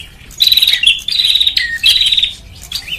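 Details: Lure call of the bar-winged prinia (prenjak), played to attract birds: sharp high chirps and rapid rattling trills in several quick phrases, some notes dropping lower, with brief gaps between bursts.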